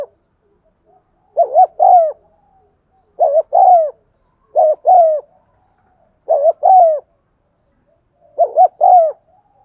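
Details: Cooing spotted dove meant to stimulate caged doves to call: five clear phrases, each a brief double coo leading into a longer falling note, repeated roughly every two seconds, clean and without background noise.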